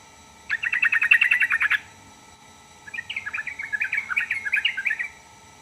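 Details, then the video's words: A yellow-vented bulbul sings a fast, even string of chattering notes, then after a short pause a looser, more varied bubbling phrase of warbled notes. "burung trucukan manapun langsung nyaut dibuatnya"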